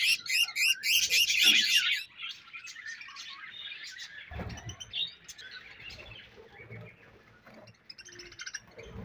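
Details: Budgerigars chirping as pets: a loud burst of rapid, rhythmic twittering for two seconds, then softer scattered chatter and faint high squeaks with low background rumble.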